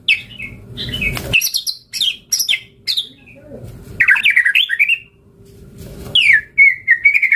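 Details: White-rumped shama in full song used as a lure to provoke rival birds to respond: loud bursts of whistled, slurred phrases and sharp chattering notes separated by short pauses, with some room echo.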